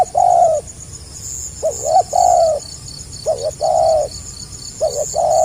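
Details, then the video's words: Tekukur, the spotted dove, delivering gagap rapat selang nguku song: short stuttered notes running into drawn-out falling coos, phrases repeated closely, with a constant shrill chorus of insects behind. "SUARA BURUNG TEKUKUR GAGAP RAPAT SELANG NGUKU"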